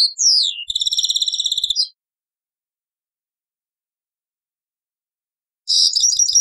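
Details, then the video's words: European goldfinch Taqsrayn song from an old cassette: quick descending slurred notes lead into a fast, even, high trill of about a second, then a long silence before another jangling twittered phrase begins. "تغريد تقصراين من كاسيت قديم"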